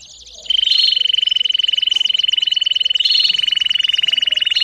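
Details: Domestic canary singing, played as training for young birds: after a brief pause, a loud, fast rolling trill holds on one steady high pitch for about four seconds, with quick descending whistled sweeps layered above it.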